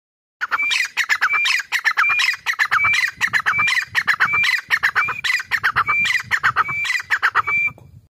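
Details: Black francolin, locally called dakhni or kala teetar, calling loudly at close range: harsh, grating phrases in a steady series of about nine bursts over eight seconds, each with a short rising whistled note.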